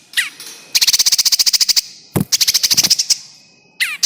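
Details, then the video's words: Lure sound of a bar-winged prinia for trapping birds: long fast trills of high buzzy pulses, about a dozen per burst, in two runs separated by a short gap, framed by sharp descending chips. "SUARA PIKAT PRENJAK KEJEPIT AMPUH ANTI ZONK 100% JITU LENGKET UNTUK SEGALA JENIS BURUNG BESAR/KECIL"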